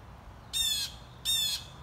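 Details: A young Blue Jay, described as crying, begs insistently with two harsh, raspy squawks about a third of a second long and under a second apart. Cars pass nearby.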